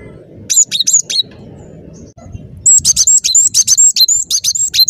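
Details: Vigorous cinereous tit song used as a trapping lure: a short opening run of high two-part whistles, a pause, then a long rapid, insistent string of the same bright notes.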